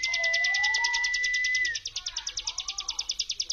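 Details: Mountain prinia brem lure sound: a rapid high pulsed buzz running throughout, overlaid by a flat whistled tone and lower rising-and-falling warbled notes.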